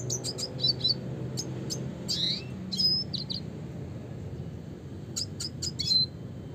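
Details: Classic-style song of a red siskin, with clusters of quick high chirps and short whistled notes, separated by brief pauses, against a low background rumble.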